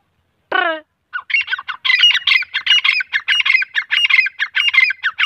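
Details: Grey francolin male and female, the teeter: a sharp, falling harmonic squeal opens, then a sustained, tumbling series of loud, rasping, metallic notes continues for over four seconds without pause.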